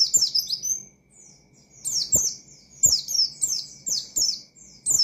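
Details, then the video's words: High, sweet, fast-sliding whistles from an Oriental white-eye in full 'ngalas' song meant to rouse rival white-eyes; clustered descending notes in short bursts broken by brief gaps, soft low clicks behind. "Burung Pleci Gacor Ngalas Nembak Mangil Lawan,Memicu Emosi Pleci Bahan"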